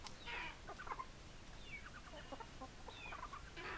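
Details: Chickens, hens clucking: many soft, short clucks and brief rising squawks overlap in a busy flock, against a steady hiss of background noise.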